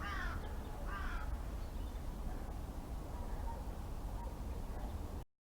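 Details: Wild birds at garden feeders on a live webcam: two harsh, rasping calls close together near the start, then only steady low rumbling background noise.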